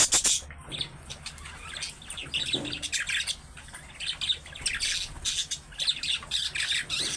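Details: Budgerigar chatter, the calling style of young birds that other budgerigars are said to answer at once: dense, harsh, buzzy warbling and squawks running continuously with little pause, over low steady hum.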